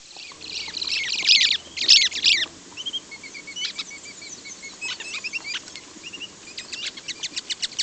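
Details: Pet lovebirds kept together, giving a loose mix of sharp, high chirps and short squeaky notes, loud bursts early on, then scattered quick clicks and chips at irregular intervals.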